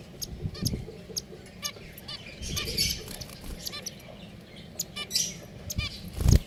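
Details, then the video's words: Pet finches in a cage trade short, tinny, nasal beeps at an uneven pace, with low rustling and a loud bump at the very end. "Beautiful Finches #Sounds"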